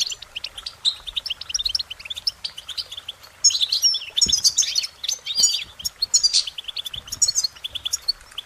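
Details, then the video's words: Singing goldfinches pour out a dense, continuous twittering warble of short high notes, with louder, busier bursts of chirps and trills in the second half and one brief low thump. "Goldfinch Singing their Song"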